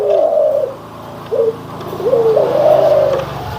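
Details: Low cooing of Barbary doves, white versus brown: a trilled coo, a short clipped note, then a longer rising-and-falling coo, against a steady low hum.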